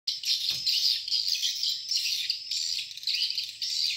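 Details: Swiftlets at a swiftlet farm in Borneo: a dense, continuous chorus of high, buzzy chirps overlapping without pause, with a brief low thump near the start.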